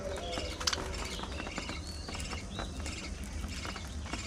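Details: Budgerigars eating seeds and fresh vegetables give scattered high, sharp chirps and brief squeaks amid soft clicks of pecking and munching.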